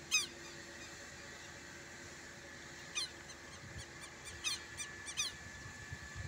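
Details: Southern lapwing at a smallholding, very agitated at the recordist, who suspects a nest nearby, giving harsh, strident alarm notes in short clipped bursts, four across six seconds, over a faint steady hum.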